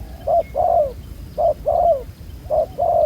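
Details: Wild-caught spotted dove with a black collar, said to coo fairly well, heard during decoy trapping: three soft two-part coos, a brief note followed by a drawn-out downslurred one, against faint background rumble.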